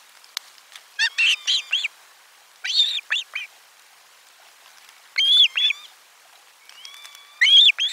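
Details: Osprey at nest 4 on 12 July 2022 while a lunch fish arrives: four groups of loud, arched whistled piping notes, three or four per group, with slurred tones between them.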